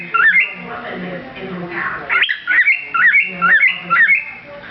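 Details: Male cockatiel, kept with a female, sings a string of clear, stepped whistles that rise and fall, repeated in quick phrases.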